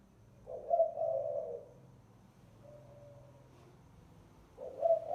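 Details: Spotted dove used as a lure, giving a low husky cooing phrase, then a faint thin coo, then a second accented coo beginning near the end, over a steady low hum.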